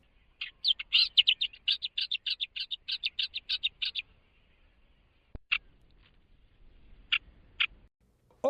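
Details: Nihoa millerbird (ulūlu) song recording, paired with a spectrogram artwork in a gallery: a fast run of about twenty bright, scratchy chirps over three seconds, then a few spaced notes and a click.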